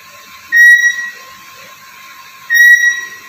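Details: Black-capped lory, a talking bird: two loud, steady, high whistles about two seconds apart, each lasting over half a second, over a faint background hiss.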